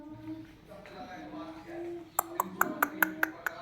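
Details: A pet talking parrot (mithu) babbles in soft, speech-like phrases copying different voices, followed by a run of sharp clicks or taps about five per second.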